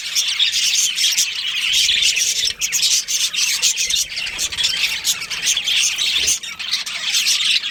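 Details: Colony of budgies including a breeding pair, a busy wash of high, scratchy twitters and chirps that runs on without pause, overlapping voices with rasping notes mixed in.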